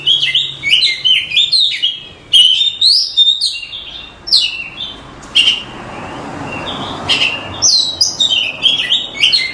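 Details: Cage-bird training song (masteran) from an Oriental magpie-robin: choppy sequences of quick whistled and chattering notes in repeated bursts, with a quieter stretch of background hiss midway.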